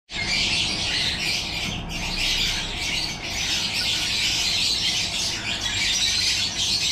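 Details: Yellow-collared lovebirds in a captive breeding setup, a dense continuous chorus of shrill, high squawks and chatter from many birds, overlapping without pause, with a faint low hum underneath.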